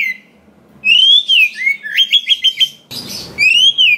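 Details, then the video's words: Song of a wild-sourced kacer, or Oriental magpie-robin, played to provoke other kacer into singing and fighting spirit. Rising, slurred whistles lead into four quick repeated notes, then a brief noisy burst and another long upward whistle. "SUARA BURUNG KACER ISIAN BANYAK !! PANCINGAN UNTUK BURUNG KACER BAHAN HUTAN || VOICE OF KACER"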